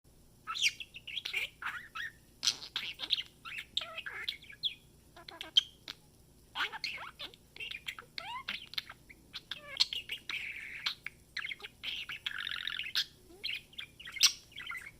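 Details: A 10-month-old budgerigar chatters in rapid, scratchy warbles and squeaks, mixing in mimicked speech-like phrases.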